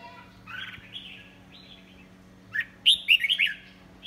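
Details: Red-whiskered bulbul of the 'pháo cối' singing type: soft slurred whistles at first, then a loud burst of quick, bright, chirpy warbled notes near the end, over a faint low hum.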